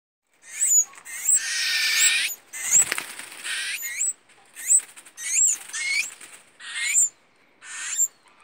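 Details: Baby tui chicks being hand-fed by a volunteer at a bird rescue give harsh, hissing begging bursts in rapid runs, broken by brief high whistled notes and short pauses.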